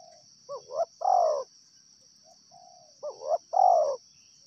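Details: Two cooing phrases from a wild spotted dove, each opening with short hooked notes and ending in a long, falling coo. Soft single notes sit between the phrases, with a steady high whine throughout.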